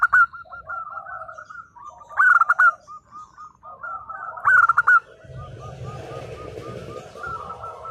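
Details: Zebra dove of a local strain in 'nembak' style song, used to draw replies from silent doves: three loud clipped bursts separated by rolling, stepped coos, then a hissing background noise at the end.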